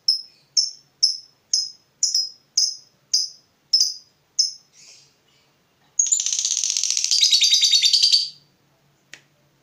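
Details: Fighter lovebird, worked up on seeing a rival, giving a run of about nine sharp clipped chirps, roughly two a second, then after a pause a rapid harsh buzzing chatter lasting about two seconds.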